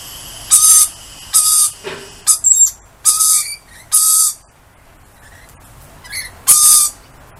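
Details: Lorikeets calling to a familiar person outdoors: a string of harsh, piercing screeches, about one a second, with softer chatter and quiet between the last calls.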